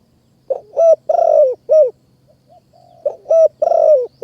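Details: Wild spotted dove in high mountain forest in Kanchanaburi, Thailand, responding quickly to a decoy bird during bird trapping: low, mellow cooing phrases of three soft notes, the last longer and drawn out, each about a second, repeated.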